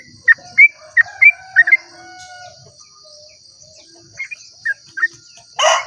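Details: Sooty-headed bulbul in dawn 'ropel' song, meant to draw other bulbuls into singing; a quick cluster of bright slurred whistles, a pause, then a few softer notes, ending in a short loud rustling burst, over a steady high insect hum.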